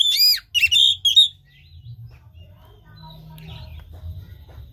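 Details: Oriental magpie-robin song used as a lure to get a lazy, silent caged bird lacking breeding condition to sing: three loud, clear whistled phrases with sweeping notes in the first second, then near silence with low hum.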